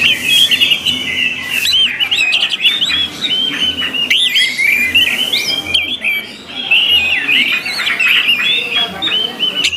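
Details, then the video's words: Orange-headed thrush song offered as a training track for kept birds: a continuous, lively stream of varied bright whistles, trills and chattering phrases, with soft low regular thumps underneath. "MELATIH SUARA ANIS MERAH AGAR CEPAT GACOR"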